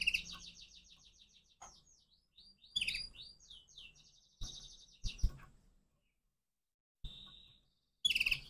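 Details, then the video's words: Morning song of a crossbred canary: rolling high trills and quick falling slurs in broken phrases, with sharp clicks and brief pauses between them. "persilangan kenari pagi hari"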